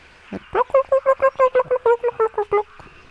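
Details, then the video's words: Hornbills calling in the background while displaying, spreading their wings and head-banging; a rapid series of about thirteen loud, hoarse, evenly spaced clucking notes with a harmonic stack, rising in strength then trailing off, preceded by a short low grunt. "You can hear the hornbills in the background."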